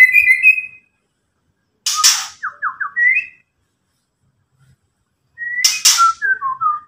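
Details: White-rumped shama giving ketrekan: a high whistled note, then a harsh triple rasp followed by short descending whistles, a rising note, and another rasp with several quick whistled slurs.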